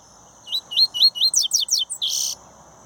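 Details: Double-collared seedeater from a breeder singing four rising whistles and four descending high sweeps, closed by a longer harsh buzzy note; faint constant hum underneath.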